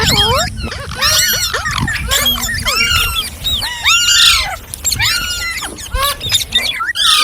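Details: Talking green parrots give bursts of looping, harmonic squawks separated by short pauses, several birds calling over one another.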